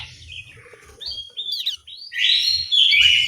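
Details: An orange-headed thrush in an aviary in Malang, Indonesia, gives soft scattered chirps over a low rumble, then breaks into a strong, sustained, warbling whistled phrase.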